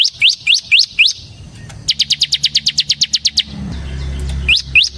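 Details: Bar-winged prinia (ciblek semi) singing to lure other ciblek: four rising whistled notes, then a quick trill of about fourteen sharp high chips, then two more rising whistles.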